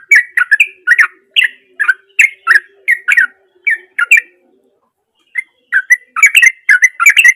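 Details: Chatty song of a sooty-headed bulbul, meant to prompt mute bulbuls to sing: steady run of bright, bubbly whistled notes about three per second, a pause of over a second, then a denser flurry.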